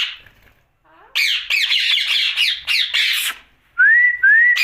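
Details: Rose-ringed parakeet heard at night: a soft opening note, a second of quiet, then a run of scratchy squawks, closing with two clean rising whistles.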